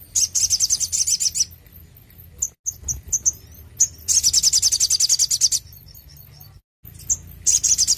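Ruby-cheeked Sunbird giving very high, thin, rapid twittering trills in bursts of one to two seconds, with short sharp chips between them.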